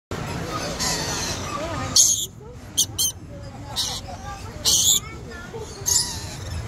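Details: Lorikeet at Busch Gardens, Tampa, Florida, giving short, shrill, grating screeches in brief bursts, about five in seven seconds, over a background of murmuring human voices.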